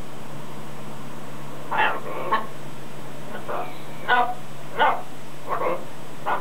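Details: Outdoor pet macaw rehearsing phrases like come here and stop it; a run of six or seven clipped raspy calls spaced under a second apart after a quiet start, over a low background hum.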